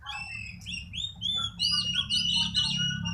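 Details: Newly bought oriental magpie-robin in training, singing a fast stream of ringing whistles and slurred notes over a low background hum.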